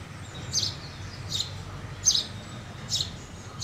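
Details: Sparse, high chirps from a house sparrow, about one per second, with low rumbling noise behind.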